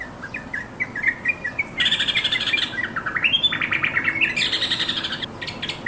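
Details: Yellow-vented bulbul calling to its companions; short chirps build into a dense, bubbling stretch of rapid warbled notes with a rising slur partway through, followed by further chirping.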